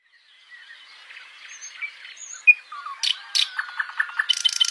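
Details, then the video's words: A nightingale sings varied phrases over faint background bird chatter: thin whistles, then a run of rapid repeated notes, and a dry, buzzy rattle at the end. "Listening to the Singing Nightingale"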